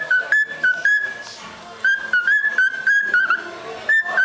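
A cockatiel whistles a halting song of clear, level notes, some slurred or wavering, with brief pauses between.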